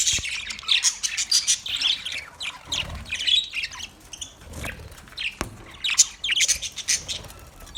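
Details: Parrot chirping from 20 November 2023, with short bright twitters and squeaks in uneven clusters, brief pauses between bursts and one sharp click midway.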